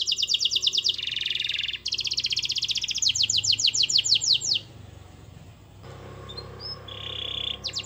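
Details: Canary singing vigorously, used to provoke a silent canary into singing: high buzzy rapid trills and rolling repeated notes in fast sequences, a brief pause, then a thinner whistled note with a trill resuming at the end.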